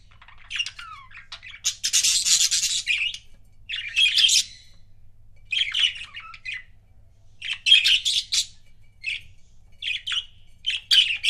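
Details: Budgerigar couples kept as pets: loud, clear bursts of scratchy warbling and bright squawky chirps, some lasting over a second, separated by short pauses, with almost no background noise.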